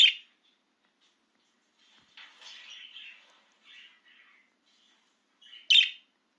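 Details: Excited pet budgerigar out of its cage, giving a few short, bright chirps: a sharp burst at the start, a softer warbled run in the middle and another loud chirp near the end, in a quiet room.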